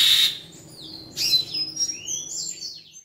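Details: Imitative song of an Asian pied starling copying its keeper: a short harsh burst, then a series of thin sliding whistles and squeaky rising notes.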